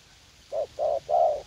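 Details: Spotted dove perched in a garden in U Minh; three low hollow coos around 600 cycles, two short then a longer final note, over a quiet background.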